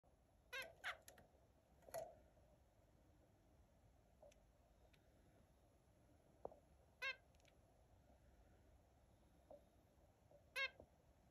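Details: Australian zebra finch giving short, nasal, harmonic-rich calls, about five scattered across eleven seconds with long quiet gaps, some in quick pairs, over a steady low indoor hum.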